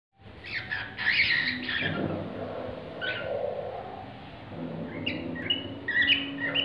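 A cockatiel sings a run of bright chirps and warbled whistles over a low background hum.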